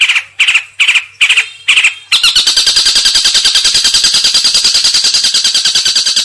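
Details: Long-tailed shrike (cendet) giving four harsh scratchy notes, then breaking into a fast, continuous rattling chatter of rapid pulses that runs to the end.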